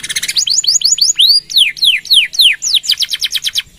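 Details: Canary singing, meant as a lure and tutoring song for other birds: rapid upslurred notes, a long arched whistle, loud falling sweeps, then a quick rhythmic trill.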